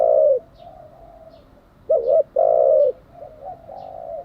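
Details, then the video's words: Cooing spotted dove, a recording meant for training decoy birds: one long coo, then a quick doubled coo and a sustained coo after a pause, with quieter cooing and faint chirps behind. "Tiếng chim cu gáy mới nhất, dùng luyện chim gáy bổi và mồi hàng ngày"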